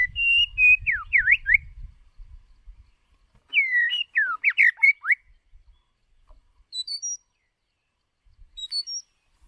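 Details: White-rumped shama decoy bird delivering a voice-training song: a long whistle followed by fast V-shaped swooping notes, repeated in a second phrase, then short high thin twitters, with low rumble early on.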